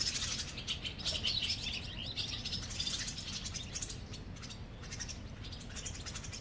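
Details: Barn swallows nesting in a colony under a park bridge in Mercer County Park, New Jersey, giving continuous high chattering twitters that fade somewhat toward the end, with low rumbling noise beneath.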